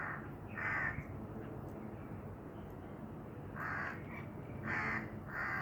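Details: Black francolin giving harsh, grating notes in short bursts, one near the start and then a closer pair and a further note later, over a steady noisy background hiss.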